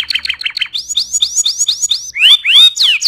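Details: Vigorous canary song used as a tutor for other birds: quick clipped notes give way to a rapid series of rising, slurred whistles, then loud swooping sweeps that rise and fall.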